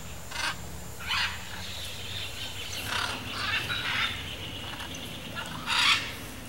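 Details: Blue-and-yellow macaw pair hidden among riverside forest vegetation in Brazil, uttering several short harsh squawks spread across the recording, fairly distant against a constant background hiss.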